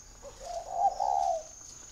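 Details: Spotted dove from Ba Vì, Hanoi, Vietnam, giving one short note then a drawn-out, purring, slightly wavering coo that swells and fades, against a thin steady electronic whine.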